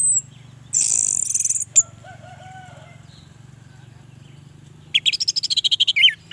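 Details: An orange-headed thrush, used as a lure to prompt lazy males to sing, gives a harsh, hissing burst and a few soft whistles, then a rapid, chattering run of high, warbled notes over a low hum.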